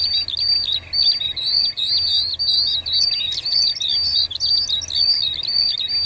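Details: A wild cinereous tit (Parus cinereus) sings a busy, continuous run of high, sharp chirps and twittering notes, with quick rising and falling phrases and almost no pauses.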